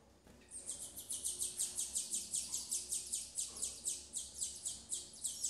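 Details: Captive female double-collared seedeater tending her chicks: a steady run of sharp, high-pitched chirps roughly twice a second after a short quiet start, with little other sound.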